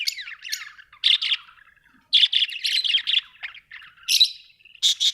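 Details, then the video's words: Busy high-pitched chirping from Australian budgie parrots, with quick buzzy tweets strung into uneven phrases and a brief pause near the middle. "Australian budgie parrots l birds chirping sound"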